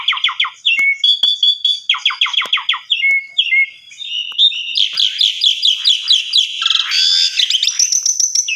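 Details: Lure song of an Asian pied starling, used in the morning to provoke other starlings into replying: bursts of quick repeated chirps with clear whistles between, building into a dense, rapid, rising chatter at the end.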